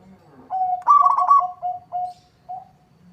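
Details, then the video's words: Local zebra dove singing actively, its song prompting a rival to answer: short mellow coos, then a rapid burst of trilled, pulsing coo notes, followed by a few lower drawn-out coos with pauses. "Suara perkutut lokal gacor bikin nyaut lawan"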